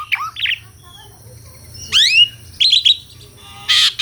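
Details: Asian pied starling (jalak suren) in lively song: scattered harsh squawks and bright upswept whistles, a burst of rising notes near two seconds, then a broad raspy note at the end.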